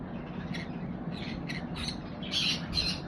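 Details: Pet conure giving harsh, broadband squawks: faint rasping bursts through the first two seconds, then two louder grating squawks near the end, over a steady low hum.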